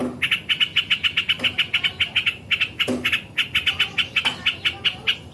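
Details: Yellow-vented bulbul in continuous rapid calling for bird training: quick bright chips repeated several times a second, with a few soft low clicks between them.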